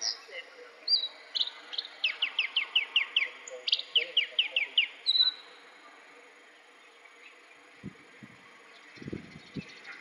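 A bluethroat sings a fast series of sharp, ringing notes, repeated in quick bursts of rising chips and metallic trills, followed by a few faint low thumps.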